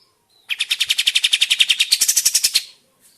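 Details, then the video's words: Sooty-headed bulbul in a lure recording meant to make other birds answer and sing: a fast string of sharp chirps, about four per second, with a brief rasping burst near the end, then silence. "Burung Kapas Tembak mana yang tidak nyaut dan gacor dengan pancingan ini"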